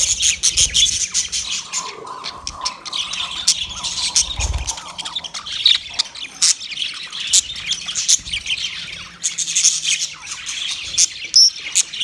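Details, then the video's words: Budgerigars, the Australian parrot, calling to one another with rapid clicky chirps, high squeals and rasping squawks, pulsing in quick bursts throughout. "Budgie sound when call other Budgie"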